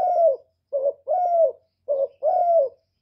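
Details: Spotted dove decoy call used to excite caged doves: low mellow coos in pairs, a short rounded note leading into a longer, slightly falling tone, repeated about every 1.2 seconds.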